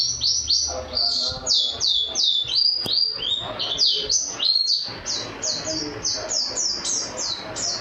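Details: National champion white-eye, singing canary-style fill with a thunderous voice: a steady string of repeated falling whistled notes, roughly three a second, briefly broken by a pause near the middle.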